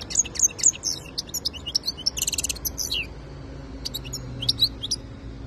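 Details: European goldfinch, a kept bird in Algeria, giving scattered high twitters and a short buzzy burst, with gaps between phrases and a low background rumble.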